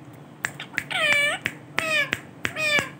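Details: Male Ringneck parrot uttering three drawn-out, nasal, meow-like calls with rich harmonics that bow downward, separated by sharp clicking taps.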